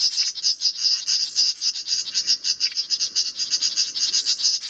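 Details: Great reed warblers mobbing a 3D printed common cuckoo decoy at their nest. Scratchy, grating churrs run together in a nearly unbroken chatter throughout.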